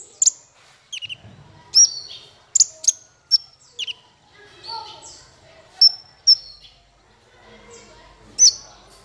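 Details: Sparse, sharp, high-pitched chips and brief thin whistles from a male olive-backed sunbird, set out as tutor material for songbirds. The notes are spaced about half a second to two seconds apart, with quiet gaps between them.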